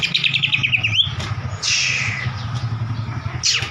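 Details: Lure song of a White-rumped shama: rapid descending chip series closing with an upward flick, then a loud harsh burst and a final high sweep over a rumbling low hum.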